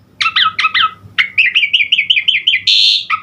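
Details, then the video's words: Asian pied starling in lively, varied song: a few ringing double notes, then a quick string of wavering whistles, a loud harsh buzzy burst, and a final clear note. "Burung Jalak Suren GACOR Isian Variasi Unik"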